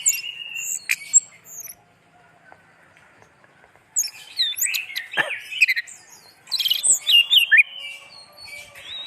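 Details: Pet orange-headed thrush in lively song, with busy bursts of high chirps, sharp clicks and buzzy twitters after a quiet gap, then a further rapid, varied phrase.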